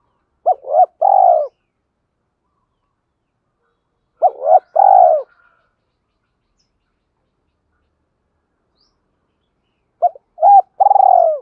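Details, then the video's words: Spotted dove calling to train and excite newly caught birds: three separated phrases, each a couple of quick soft notes leading into a longer, burred, descending coo, with long silent gaps between. "tiếng chim cu gáy tập bổi new, tiếng thúc và gáy gọi"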